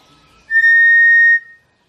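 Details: Cinereous tinamou lure call, re-recorded for educational use and played to attract the bird: one pure, steady, level whistle of about a second that starts abruptly and fades briefly at the end, with no other sounds.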